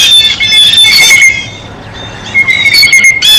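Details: At a feeder, a blue jay gives a quick series of coarse squawks, falls quiet for about a second, then resumes with more rasping calls, a steady faint high tone persisting.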